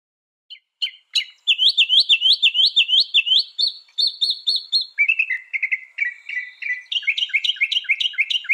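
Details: Northern mockingbird singing, a loud, fast run of repeated phrases: a string of rapid rising chirps, then a lower buzzy series, then quick high notes, each phrase type repeated several times in quick succession.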